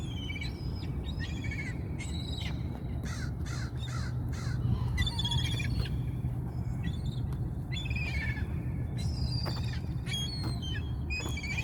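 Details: Many hungry gulls call over one another in harsh, nasal cries and short yelps, tumbling together almost without pause, over a steady low rumble of wind or surf.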